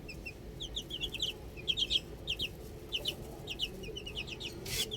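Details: Outdoor chicks giving repeated high, sweet peeps in groups of two or three, fairly steady pace, with faint background hum and a brief rustle at the end.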